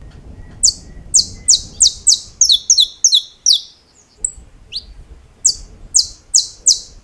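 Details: High, bright snapping notes from a saffron finch, a champion in the estalos style, come in an even series, quicken into doubled clicks, pause with a short upward whistle, then return to the steady snaps.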